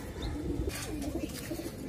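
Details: Soft, low pigeon cooing runs steadily beneath rustling and clicks, the murmur repeating in short rolling phrases.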